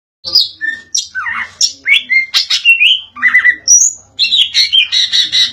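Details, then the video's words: Greater green leafbird singing in an insistent 'ngotot' style: quick varied chirps and short whistled slurs jumping between high and mid pitch, delivered in dense bursts with brief pauses. "Cucak ijo suara ngotot"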